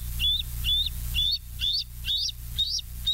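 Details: Bald eagles filmed by a live nest camera at West End on a July 2023 evening give a run of high, sharp piping chirps, about two per second, some with a squeaky upward flick, over a low rumbling hum.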